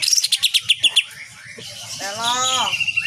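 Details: Cage-bird training recording of a singing Greater green leafbird, kapas tembak nyengklir style: a quick train of about nine sharp repeated notes, a short pause, then a drawn-out, downslurred harsh note.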